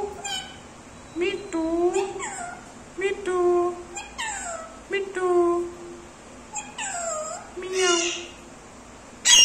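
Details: Pet Indian ringneck parakeet indoors, talking in a sweet voice, saying its name and imitating a cat's meow; short harmonic voiced syllables with bending pitch, about six bursts spread over the stretch, with quiet background music.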